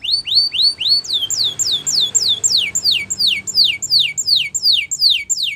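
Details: Spanish Timbrado canary singing a training song for canaries: rising swooped notes give way to a steady series of loud, high, falling whistles, roughly three per second.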